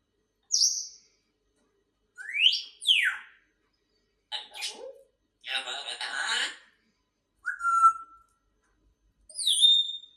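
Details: Pet grey parrot indoors: a sequence of separate sounds with pauses between them, including clear whistled sweeps rising and falling, a rough burst, a harsh squawk-like phrase and a short level whistle.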